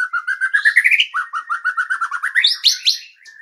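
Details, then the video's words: White-rumped shama master song used to stimulate other birds to sing: rapid series of rising whistled notes, about six per second, followed by a lower repeated phrase and high sharp chips at the end. "Masteran murai batu"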